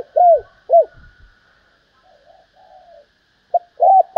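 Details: Female spotted dove calling to attract and stimulate males: two loud arched coos, then faint quieter murmurs, then a short note and a final cooing pair, all low and mellow.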